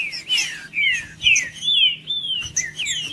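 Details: Green-winged saltator in song to warm up a cold bird, rich whistled phrases sweeping down then level, five or six slurred notes in quick sequence over a low background hum.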